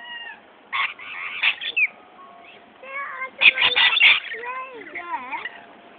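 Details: Several rainbow lorikeets fighting over spilt ice cream from a child's paddle pop: harsh screeches and bursts of chatter mixed with shrill whistles that slide up and down, coming in two noisy flurries.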